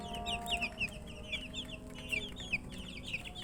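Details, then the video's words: A group of baby chickens wanting drinking water peep steadily, bright high downslurred chirps tumbling over one another a few times a second above a faint low hum. "Murgi chicks Chirping sounds"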